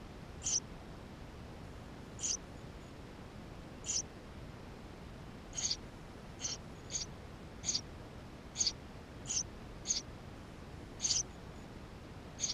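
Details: Eurasian tree sparrow nestlings inside their nest, recorded with a GoPro: thin, high squeaky begging calls, about a dozen short bursts over twelve seconds at uneven gaps, over a steady low hiss.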